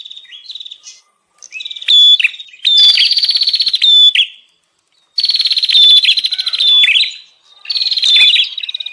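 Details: Bar-winged prinia lure sound of the agitated 'ribut' style for attracting wild prinias: long bursts of shrill, buzzy trilling broken by short silences, with clipped whistled accents.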